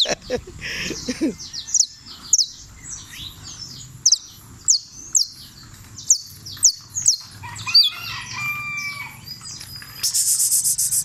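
Saffron Finch singing sharp, high, upslurred chirps about twice a second, then a few lower whistled notes, ending in a buzzy rattle; faint voices underneath.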